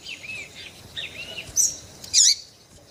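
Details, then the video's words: Female double-collared seedeater calls meant to stir a male into song: soft arched whistled chirps early on, followed by two loud, piercing squeaky bursts near the end. "MELHOR PIADO DE FÊMEA PARA DEIXAR SEU PAPA-CAPIM DOIDO PARA CANTAR LOGO!"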